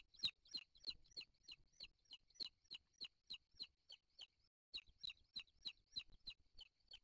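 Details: Booted eagle eaglets calling at the nest during feeding after the father brings in a bird, 3 July 2023, on a live nest camera. Sharp, high, piercing notes repeat steadily about three times a second, pausing briefly midway, then resuming.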